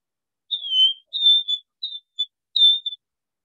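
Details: Wing-snapping Cisticola, a single phrase of its "airs, airs, airs" call slowed to half speed: five high, clear whistled notes, each gently down-slurred with the key inflection, spaced about half a second apart, in silence.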